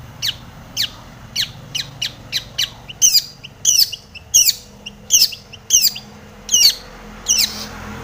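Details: Long-tailed shrike in vigorous full song, meant to stir other shrikes into singing: quick thin downward-sweeping notes, then louder, harsher chattering phrases with hooked slurs, repeated steadily at a brisk pace.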